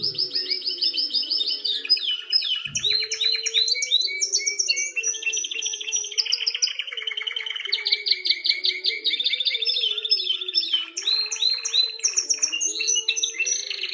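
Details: Canary song used to ready a female for mating; dense continuous warbling of fast trills, chirps and rising notes, loud throughout, with a faint low hum underneath.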